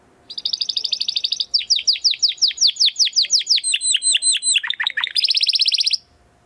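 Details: Timbrado Español canary male singing training song: brief trill, then a steady chain of downward-sliding whistled notes, a few deep dipping notes, and a final fast buzzy trill.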